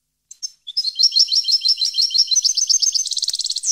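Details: Parva, 2015: a European goldfinch sings a continuous, accelerating series of bright, liquid twitters, a steady stream of about a dozen repeated notes, becoming a dense rapid trill at the close.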